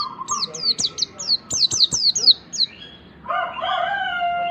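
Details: White-eye singing on a lure track for getting a pleci to sing: a string of thin, high, falling notes repeated quickly, followed by a held, lower, harmonic tone.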